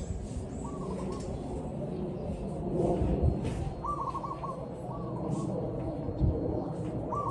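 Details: Zebra dove heard in a real recording: short, faint stuttering coo phrases scattered across a steady, rumbling background.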